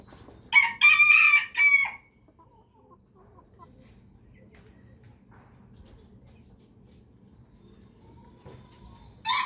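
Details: Rooster crowing in the morning with a short, very high, strained crow in a few bursts, a long quiet stretch with faint chirps, and the start of another crow at the end.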